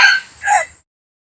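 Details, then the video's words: End of a rooster's crow: a strained, harsh note that fades out, then a shorter second burst that drops away into silence. "suab qaib qua zoo heev"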